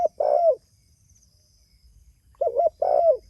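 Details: Calling to others, a spotted dove gives soft throaty coos, a long falling note, a pause, then two quick coos and another long falling coo; steady faint background hiss.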